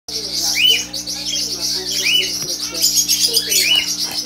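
Budgerigars chatter in a dense mix of high chirps, with rising warbled notes about every one and a half seconds.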